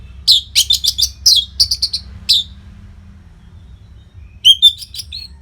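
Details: Orange-headed thrush, an energetic masteran singer for training fighter birds: a rapid string of harsh, buzzy chirps, a pause, then a brief run of clearer whistled notes.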